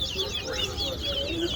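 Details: Seed finch (towa-towa) in a song competition at Guyana National Stadium sings a rapid run of high, sweet whistled and trilled notes while its notes are counted aloud, over a murmur of crowd voices.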